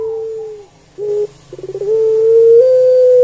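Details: Barbary dove (Streptopelia risoria), kept at home, cooing indoors: a held low tone ends, a short grunt, then a stuttering run of pulses opens into a long steady coo.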